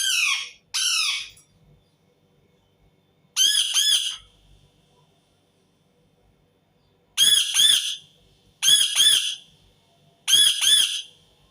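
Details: Loud, harsh screams of an Indian ringneck parakeet, given in short bursts of two or three rasping, arched squawks separated by silent gaps of a few seconds, in a quiet room.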